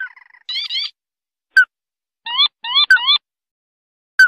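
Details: White-browed crake lure call for trapping: short bursts of rapid, rising nasal notes in quick doublets and triplets, separated by pauses, with occasional sharp clicks.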